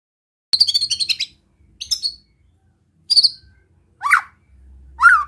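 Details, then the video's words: White-rumped shama giving relaxed besetan to provoke rivals: a buzzy rattling burst, two short harsh bursts, then two separate swooping notes. "Suara Besetan Santai Mancing Emosi Murai Lain | PANCINGAN MURAI BATU"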